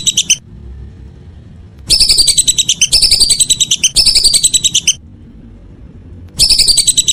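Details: Evening whistling duck calling in bursts of rapid, bright whistled notes; a short fragment, a pause, three runs in a row, another pause and a final run.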